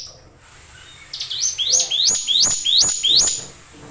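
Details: Hill prinia kept as a cage bird, singing a quick run of five or six high, rising, whip-like notes in a steady rhythm.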